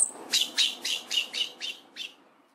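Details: Olive thrush giving a quick run of seven sharp, downslurred chipping notes, evenly spaced about a quarter second apart and fading toward the end.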